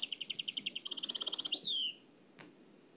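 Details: Nightingale singing in the Oued El Alleug song style, transferred from an old cassette: a fast run of high repeated notes, a brief higher buzzy trill, then one clear downward-sliding whistle before near silence.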